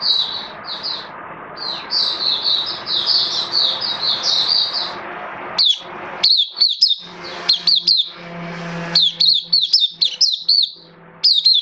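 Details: Caged oriental white-eye kept as a hobby songbird, recorded 11 September 2022 with its form slightly dipped: high chirping phrases run nearly continuously, then break into short, separated sharp notes with clear silent gaps; faint room hum beneath.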